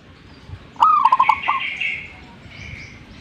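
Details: Zebra dove in lively song, giving a single rolling phrase of a sharp first coo and a fast string of clipped, pulsing notes. Higher chirps from other birds follow behind it.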